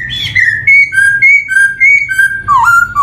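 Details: Lure song of a black-throated laughingthrush, or poksay hongkong, meant for young birds starting to sing: a run of pure, steady whistled notes stepping up and down between two pitches, ending with a short upward slur.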